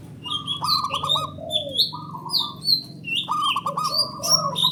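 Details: Calling match between male local zebra doves used as a lure for rivals. Repeated rolling mid-pitched coos with a lower curving note beneath, several times over, while other small birds chirp and whistle high above throughout.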